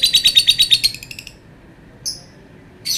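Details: Lovebird producing a fast, high buzzy trill of pulses that fades out after about a second, then a single thin chirp and the start of another shrill note.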